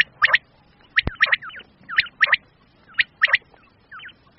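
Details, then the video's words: Common quail, male and female calls used in Pakistan to hunt quail: paired sharp high notes repeated roughly every second, with faint curved whistles in the gaps and a single click. "common quail/ new Batair ki Awaz"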